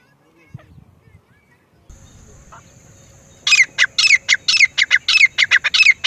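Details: After near-silence and a steady high electronic-sounding tone, a grey francolin breaks into rapid, shrill repeated calls, harsh clipped notes mixed with whistled slurs.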